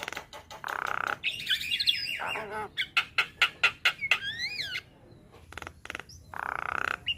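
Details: Javan myna training track for young birds, with rich fill-in phrases: buzzy bursts, loud harsh notes, and a rapid run of sharp clicks near the middle, then a pause and upswept whistles with one harsh rattle near the end.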